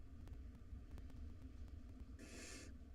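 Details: At feeding time in a nest box, one of five wild barn owl nestlings lets out a single short rasping hiss near the end, after quiet ticking and a steady low rumble.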